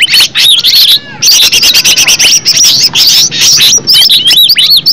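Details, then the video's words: Green leafbird natural song, used as a lure for other leafbirds. Bright looping whistles, then a short gap near one second, followed by a rapid chattering run of sharp, squeaky notes. "Cucak ijo suara alam suara asli,pancingan cucak ijo bakalan LANGSUNG BUNYI,NYAUT dan GACOR"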